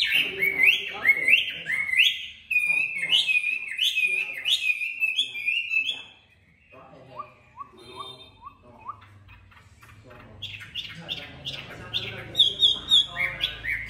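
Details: Chinese hwamei, a caged songbird, singing loud, varied phrases of rising slurred whistles repeated rapidly, pausing briefly mid-song before resuming with bright, fast notes; faint low background noise.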